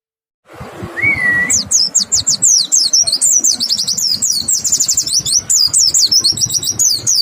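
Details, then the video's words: White-eye song used to lure other white-eyes into singing: after one rising whistle, a fast, continuous stream of very high, thin zigzagging chirps, over steady low rumbling and knocking in the background. "Pancingan PLECI BIKIN IKUT NEMBAK, suara jernih bikin respon PLECI LAIN BUKA PARUH"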